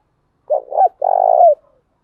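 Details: Lure call of a spotted dove, of the thúc gù and gáy gọi kind meant to draw in wild doves: a short double coo, then a sustained, husky, slightly falling note lasting about half a second.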